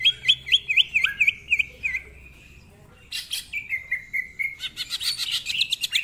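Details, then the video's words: Greater green leafbird, a lively tutor bird, sings fast repeated whistled notes, pauses, then bursts into harsh scratchy notes and a rapid high chattering trill. "Cucak Ijo Gacor Ngentrok Full Isian, Nembak Rapet Suara Kasar Isian Mewah"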